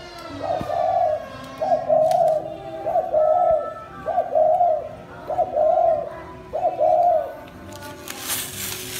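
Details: Spotted dove used as a decoy bird in Thái Nguyên, Vietnam, cooing steadily in captivity. Six soft, even coo phrases come at a regular pace of nearly one per second and a half, followed by a brief burst of noise at the end.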